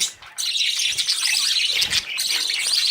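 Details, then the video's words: Budgie chicks following their parents for food after leaving the nest; after a short quiet start, loud bursts of shrill chirping and squawking fill the rest. "Budgies babies running for food"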